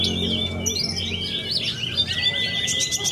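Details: Australasian bushlark, a young contest bird from Cilacap, Indonesia, pours out quick twittering, rising-and-falling phrases over a level whistled tone, with low hum and background chatter.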